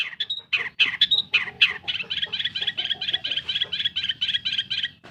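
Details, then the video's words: Long-tailed shrike, a pet bird, used as a lure to make silent birds sing: a few harsh notes, then a fast continuous chattering warble of repeated scratchy notes. "SUARA PENTET GACOR. BUAT PANCINGAN burung MANDEG BUNYi"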